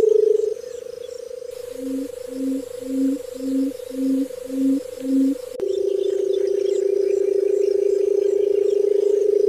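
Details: Barred buttonquail calling: seven deep, soft hoots roughly half a second apart, then a long, steady, low purring trill that runs to the end, with faint high ticking in the background.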